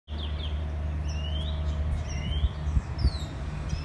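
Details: Bird calling in short clear whistled notes, several rising slurred whistles spread across four seconds, over a strong low engine-like rumble and background noise.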